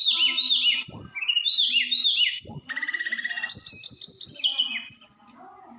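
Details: Snowy-browed flycatcher singing a 'roll tembak' song to excite other birds: a busy run of sweet high warbles and slurred whistles, then a fast, stuttering rattle and sharp chips, with a few soft low thumps.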